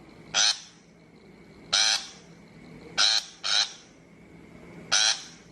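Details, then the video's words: Shrike call meant for a trapping loudspeaker: five rough, rasping notes, one quick pair among them, separated by pauses of one to one and a half seconds. "Tiếng chim bách thanh chuẩn mp3 cho loa bẫy"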